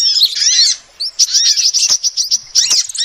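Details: Female sunbird recorded as a lure: an opening flurry of high twittering, a short pause, then a string of clipped, evenly spaced chirps ending in another quick flurry.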